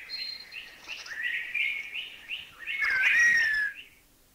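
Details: Thai recording of a Streaked Wren-Babbler's sad and chuchi chuchi calls: clipped chirps running into a smooth drawn-out whistle, then a louder sliding whistled phrase that fades into quiet.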